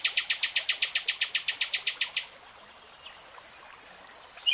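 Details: Common nightingale (Luscinia megarhynchos) singing: a fast, even run of about seventeen sharp repeated notes lasting two seconds, then quiet forest background with faint distant chirps.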